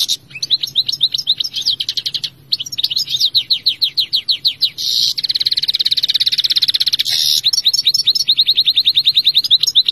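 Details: European Goldfinch in full song: rapid twittering series of repeated notes, interspersed with dense buzzy trills and tinkling phrases, continuous for about ten seconds; low background hum.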